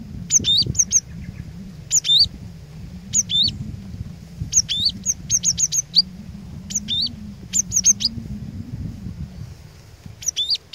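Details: Cinereous tit used as a lure to provoke rival tits into singing: bright, high whistled phrases come in short bursts of two to four notes, separated by pauses, over a steady low background hum.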